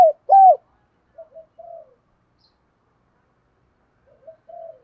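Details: Spotted dove with a 'thổ' style voice, a lure bird used to provoke wild doves into calling and coming to fight. Two loud arched coos open the phrase, then softer, lower, trailing coo notes follow after pauses, with a quiet background.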